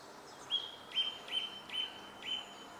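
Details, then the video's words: Song thrush song phrase: one clear, high whistled note repeated five times at even intervals of about half a second, against faint background hiss. "Grive musicienne"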